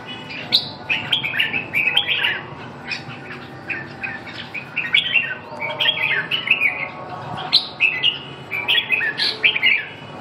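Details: Red-whiskered bulbul song: repeated bursts of cheerful, fluty warbles, each a tumbling cluster of rising and falling whistled notes. They come every second or two throughout, over a faint steady hum.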